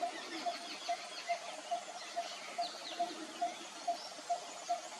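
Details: Malabar barbet, native to the Western Ghats of India, calling: a steady, low, hollow note repeated about twice a second, against a hiss of forest insects and faint distant bird chatter.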